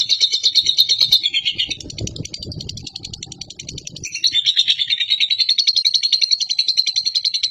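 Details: Lovebird from a national contest winner, giving long ngekek chatter to stir pet lovebirds: rapid high chattering, a dip with low rumbling noise in the middle, then strong, buzzy, fast chatter resumes.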